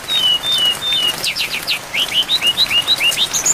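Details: Song of a brown-chested jungle flycatcher in a long training recording for songbird keepers, filled with varied phrases and set against rain. Thin flat whistles open into a fast run of short rising, upslurred notes, steadily repeated over constant rainfall hiss.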